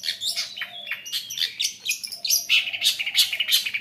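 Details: Long-tailed shrike lure song, meant to make less active shrikes sing: varied sharp chirps and short whistled phrases, fast and uneven, with a steady low hum behind.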